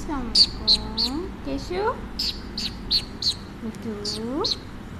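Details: Talkative pet Alexandrine parrot chatting with its owner during a biscuit treat; bursts of sharp high chirps mixed with curved, voice-like warbled phrases that swoop up and down, lively and irregular throughout.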